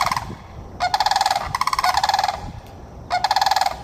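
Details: Florida sandhill cranes give three rolling, rattled bugles, each a quick run of pulsed notes under a second long, separated by short pauses, over low background noise.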